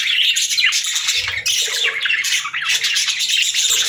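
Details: Pet budgies in a lively group, chattering and squawking nonstop with rapid twittering, sweeping chirps and short harsh notes, meant as cheerful sounds for parakeets.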